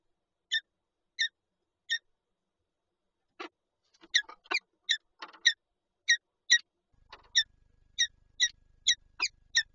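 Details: ['Peregrine falcons at a Lublin nest holding an egg, 19 March 2022: three evenly spaced sharp chips, then a quickening run of clipped, slightly nasal notes roughly every half second, with faint low rustling.']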